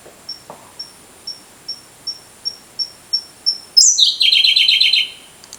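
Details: Song of a Siberian blue robin at a mountain pass along a forest road, filmed four years before: soft, high ticking notes about every 0.4 seconds grow louder, then burst into a loud, rattling trill that drops in pitch.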